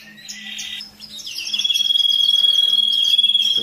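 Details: Canary song for stimulating breeding: a brief buzzy phrase, a pause, then a long pure whistled tone beneath a rapid pulsing trill.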